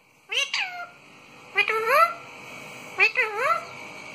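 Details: Talking pet parrot producing three meow-like harmonic calls about one and a half seconds apart, each a quick rising onset sliding into a drawn-out falling tone, over a faint room hum.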